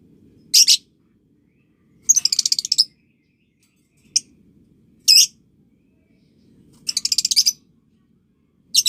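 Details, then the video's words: Lovebird calls in a training recording meant to teach young birds the ngekek chatter: shrill, harsh high chirps in separated bursts, two of them longer buzzy rattling trills of rapid pulses, with quiet low background hum. "Masteran Love Bird Paud & Balibu Dijamin Latah Ngekek"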